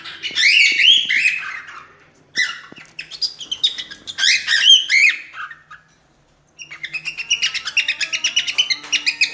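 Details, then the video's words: A Cockatiel sings its natural song, offered for training chicks: a run of bright, warbling whistles and chirps, a short pause, then a quick repeated chattering phrase. "Calopsita cantando - canto natural"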